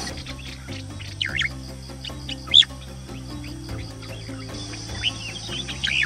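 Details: Male Horsfield's Bush Lark singing in the morning in cool mountain country, answering a second bird, one perched in an avocado tree, one on a grass tip, about 500 m away: varied, starling-like whistles and sharp sweeping notes over background music.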